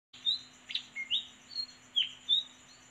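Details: Red-whiskered bulbul chicks being fed by their mother give thin, squeaky chirps, about two a second, some rising and some dropping, over a faint steady hum and a high whine.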